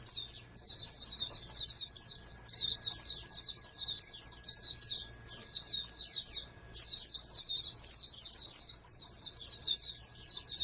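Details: Long, energetic song from a bred oriental white-eye, a future national contest entrant: dense runs of sharp, high-pitched chirps and trills, pausing briefly near the middle. A low electrical hum continues throughout.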